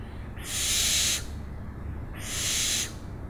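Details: Two loud, breathy owl screeches, each rasping burst lasting roughly three quarters of a second with a short silent gap between, against a faint low hum.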